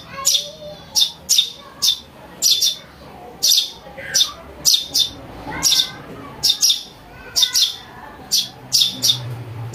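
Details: A sparrow chick's calls meant to lure birds: a dense, insistent run of roughly twenty-five piercing chirps, closely spaced and steady throughout.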